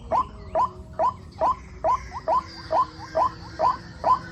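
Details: Rainy-season white-breasted waterhen chicks call in a regular run of brief rising squeaks, about ten in four seconds. Softer extra notes fall between them, over low background noise.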